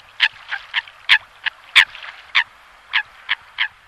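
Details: Eurasian coot calling: short nasal, harsh notes repeated irregularly, about ten in four seconds, some louder and sharper than others.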